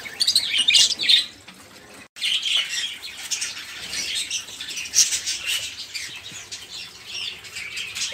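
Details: Budgerigars giving busy, lively chatter, intended to get stalled songbirds singing or to teach songs to canaries and magpie-robins. Fast high chirps and squeaky warbles pour out continuously, broken by one brief silence near two seconds.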